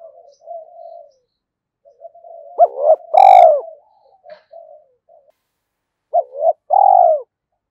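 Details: Spotted dove kept as a decoy bird, cooing in scattered phrases: soft low coos, then loud bursts with harsh, rising overtones, separated by pauses.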